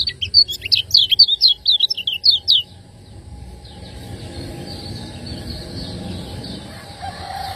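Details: Lemon-bellied white-eye, a Lombok bird, master recording in the ciak ciak style for training cage birds: a quick burst of high, thin chirps for about two and a half seconds, then quiet background hiss.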